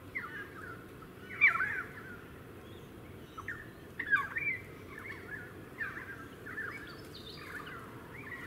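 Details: Pied currawong in a suburban area of the Sunshine Coast, Queensland, recorded February 2018; short, ringing, slurred calls in bursts near 1.5, 4, 5, 7 and 8 seconds over steady low background rumble.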